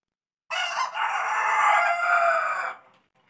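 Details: White rooster crowing: one long, loud, hoarse cock-a-doodle-doo lasting about two seconds, a brief break early on, then fading away.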